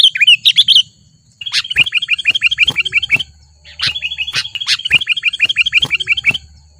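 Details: Sooty-headed bulbul provoked into challenging a rival, a wild bird in Lubuklinggau, Indonesia: a brief warbled phrase, then fast, even runs of short chirps at roughly ten per second, punctuated by sharp clicks, with a faint low hum.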